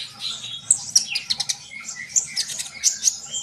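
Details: High, sparkling twitter from a sunbird, quick clicks and thin whistles mixed with short downward slurs, delivered in lively bursts.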